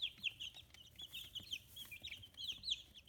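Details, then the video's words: Fifteen-day-old free-range chicks in Hiroshima, Japan, newly feathering; constant high-pitched peeping chorus, short wavering notes packed closely together. "生後15日 羽も生えてきた可愛い雛 Chicks Chirping Sounds"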